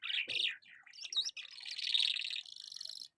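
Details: An Afghan lark in Karachi sings a quick, high jumble of chirps and slurred whistles, then runs into a long, buzzy, rapid trill.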